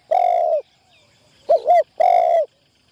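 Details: Decoy spotted dove in training inside a trapping tent: a long, steady low coo, then a short double note, then another drawn-out coo, clear and loud against a quiet background.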